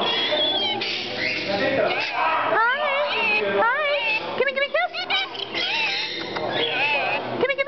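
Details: Aussie, a 12-year-old Rainbow Lorikeet, chatters in rapid, speech-like phrases with wavering, swooping whistled notes and quick rising and falling inflections, run together almost without pause.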